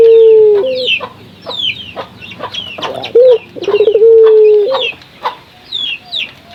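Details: Local puter dove cooing, used to stimulate other puter doves to call. Low drawn-out notes, one beginning with a rapid stuttered roll, sit under constant sharp high chirps from other small birds.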